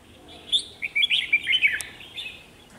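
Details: Decoy red-whiskered bulbul singing lively to lure wild birds for trapping; a rapid string of bright, slurred whistled notes pours out over about a second, then fades into softer chirps.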